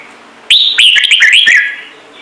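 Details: Trung Mang style song of an ornamental red-whiskered bulbul: a single bright whistle, then a rapid chain of chirpy, looping notes lasting about a second.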